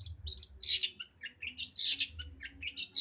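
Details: Caged black drongo from Indonesia's songbird scene delivers a busy, uneven string of sharp chirps and buzzy notes, bursts of varied pitch tumbling over each other against a faint low hum.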